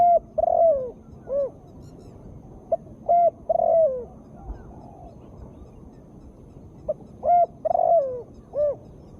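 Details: Female spotted dove, used as therapy for birds reluctant to sing: two full cooing phrases of brief notes, level coos, a trilled descending coo and a closing arched hoot, separated by a few seconds of low hiss.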